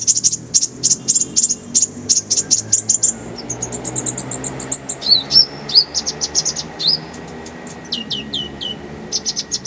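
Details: Fast, high twittering from an Oriental white-eye (konin) on a tutor recording with kolibri ninja: dense runs of short repeated notes, then a few slurred whistles and spaced chirps.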